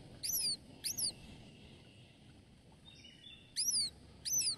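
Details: Red-shouldered Hawk nestling, the youngest of three, whines for food late in the day while its siblings sleep, hungry after losing out to them. It gives high, thin, slurring calls in two pairs a few seconds apart over a faint low rumble.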